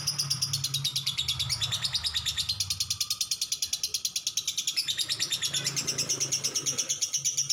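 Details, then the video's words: Lovebird giving a long "ngekek panjang" chatter: high, scratchy notes rattled off rapidly and evenly, about three per second, without a break across the whole stretch, over a faint low hum. "lovebird ngekek panjang"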